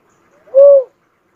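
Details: Cuckoo-dove (uncal) giving a single soft, low hooting coo, slightly arched in pitch and lasting about a third of a second, in otherwise quiet surroundings.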